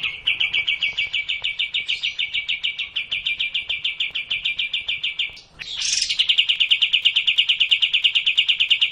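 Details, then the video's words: Sooty-headed bulbul song used to lure a reluctant singer into lively, open singing: a steady, fast series of clipped notes near one pitch. A brief gap and a harsh, buzzy burst come just after five seconds, then the rapid series resumes. "Cara Memancing Burung Kapas Tembak yang malaes bunyi agar racin gacor dan ngplong"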